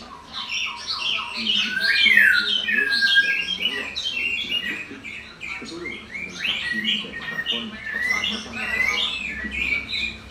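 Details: Lively bird chatter with rapid, varied chirps and twittering notes, several sharp upward-sweeping whistles, the song continuing without pause for about ten seconds.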